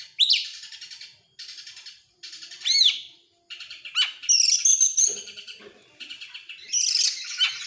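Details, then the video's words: Oriental magpie-robin, excited and in full gacor song with tail spread, the ngobra style: buzzy rattled phrases broken by short pauses, separated by swooping whistles and a shrill high warble near the end. "EMOSI NGOBRA GACOR BUKA EKOR, burung kacer nembak"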